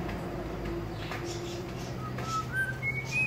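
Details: Black-naped Oriole (Kilyawan), a newly kept pet bird in the Philippines, gives a short series of clear fluty whistles stepping upward in pitch at the end, over a low steady background hum.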